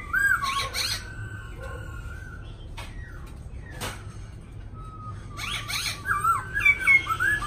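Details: Caged black-throated laughingthrush in Hanoi, Vietnam, one of two newly arrived birds singing in the prolonged 'lai dai' style: bursts of whistled, slurred phrases at the start and end, a quieter gap in between with a few sharp clicks and thin sweeping notes.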